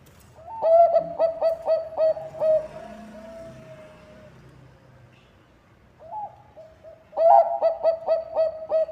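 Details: Zebra dove of the Bangkok perkutut type, its song used to prompt other birds to sing: a run of rapid, evenly spaced coos leading into a long drawn trill, a pause, then another quick coo series.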